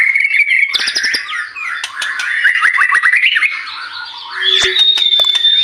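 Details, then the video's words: White-rumped shama in full, lively song, played as a lure to get other birds singing: a rich, varied run of whistled and chattering phrases that rise and fall, with sharp clicks and a long high note near the end. "Pancingan murai batu gacor 🔥 Burung auto bunyi"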